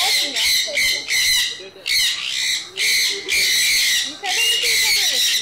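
Sun conures give loud, harsh, grating screeches in repeated bursts, each lasting close to a second.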